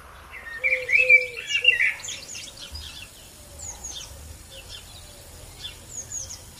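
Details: Blackbird singing in Asia: a mellow, flutey warbled phrase of rich whistles in the first two seconds, followed by thin, high squeaky twitters and softer distant chirps.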